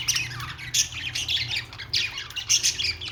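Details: Budgerigar, an Australian parrot, singing: loud, continuous warble of sharp squeaks, clicks and rasping chirps, closely packed with brief bright whistled accents, over a faint low background hum.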